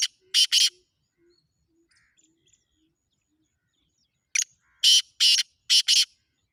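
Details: Black francolin calling: harsh, raspy, broadband notes, a quick pair at the start, then near-silence for almost four seconds before a grating phrase of four more notes.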